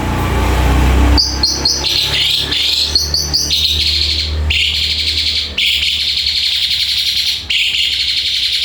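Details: Black-collared starling song of rapid harsh, grating bursts and buzzy strained phrases, repeated in runs with short breaks, with a low rumbling hum underneath.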